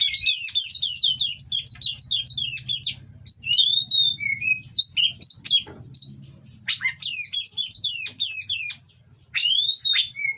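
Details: Oriental magpie-robin in mating condition, captive-bred, singing to rouse rivals: fast repeated chattering phrases, scattered down-slurred whistles and sharp clicks, with a low hum in the background.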